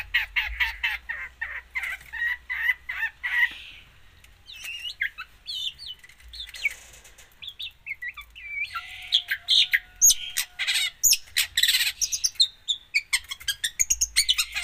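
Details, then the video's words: Long-tailed shrike in an extended, varied song full of mimicry: buzzy chattering, twisting whistled phrases, and later dense bursts of sharp repeated chips and trills. "cendet gacor full isian"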